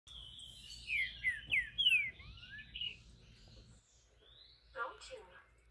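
A Green-winged Saltator sings a quick series of rich, slurred whistles, with a brief final phrase.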